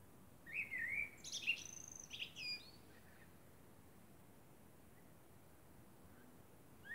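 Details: Common blackbird singing in darkness under the moon, one lilting whistled phrase tailed by strained high squeaks, followed by several seconds of near silence and a faint start of another note.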